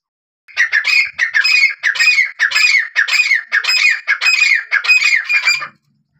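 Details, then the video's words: A grey francolin (teetar) gives a loud, shrill, harsh series of about ten squawking notes in quick succession over five seconds, presented as a hunting call; nothing else is heard. "Gray Francolin Hunting Sound//teetar hunting//teetar sounds"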